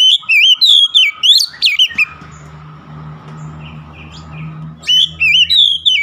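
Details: Kacer (Oriental magpie-robin) in full song for reviving a stressed bird. A busy two-second phrase of twisting whistles and snappy notes, a stretch of low mechanical hum, then the whistling resumes.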